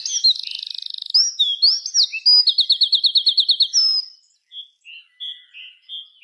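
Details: Birds chirping at dusk in the afternoon: a buzzy rattle opens, then sliding whistles and a rapid run of about a dozen sharp repeated chirps, followed by softer scattered short notes.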